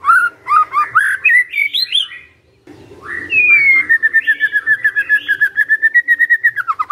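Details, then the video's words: Magpie-robin singing vigorously, its song used to prompt other magpie-robins to answer: loud, varied whistled phrases that rise and fall, a short pause, then a long run of rapid, evenly repeated whistled notes ending in a rising flourish. "Murai Nyaut Gacor"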